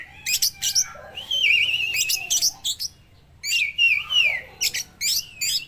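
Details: Speckled (trotol) oriental magpie-robin in full song that has absorbed lovebird phrases, suited to prompting other magpie-robins: loud high buzzy chattering bursts alternating with sustained whistled, wavering notes, in two separate outpourings with short pauses.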